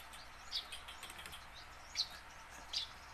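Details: Tame captive house sparrow used as a lure to prompt caught sparrows to sing, giving three brief high chirps at uneven gaps against a constant hiss.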